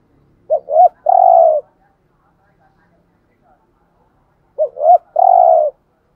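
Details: Thúc gù coo from a decoy spotted dove: two phrases about four seconds apart, each made of two quick rising notes followed by one long, steady, soft coo, in near silence.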